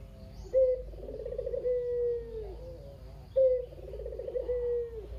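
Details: Two kugeru-style coo phrases from a very chatty domestic Barbary dove kept alone in a cage. Each phrase opens with a sharp clipped note, runs into a vibrating rolled section and ends in a drawn-out, gently sliding hum.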